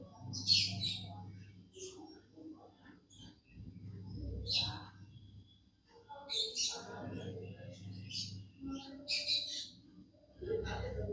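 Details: Tame budgerigar singing, with scattered high chirps and short warbled notes separated by gaps, over a noticeable low hum and some low-pitched background sounds.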